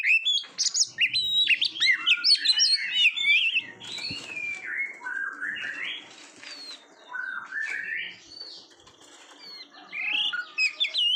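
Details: Competition-training song of an Oriental magpie-robin: a loud burst of jumbled high whistles and chatter, followed by softer, lower rising and falling warbled phrases, then bright whistles again at the end.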